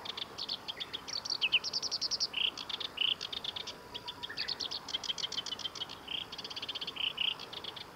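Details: Black-browed reed warbler singing at the Kita-Fuji training area, Japan, on 23 July 2021: long rapid run of dry, rattling chattering notes mixed with buzzy trills and short whistled slurs, nearly continuous over eight seconds.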